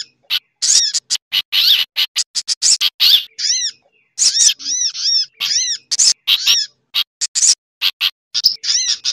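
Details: A lure recording for attracting sunbirds, mixed with other birds' calls, including bulbul. It holds noisy, high, sharp chattering calls in rapid bursts, with a few brief pauses and some clear down-slurred notes.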